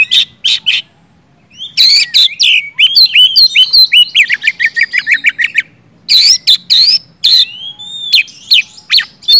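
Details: Oriental magpie-robin, 'gacor ngeplong' lure song for silent magpie-robins: a few harsh squawks, a pause, then a fast rattling run of short whistled notes, followed by more loud buzzy calls and rising whistles.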